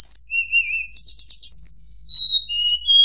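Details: Fluting white-browed shortwing song to enrage rivals: a wavering mid whistle, a burst of rapid buzzy pulses, then a string of clear notes stepping steadily lower.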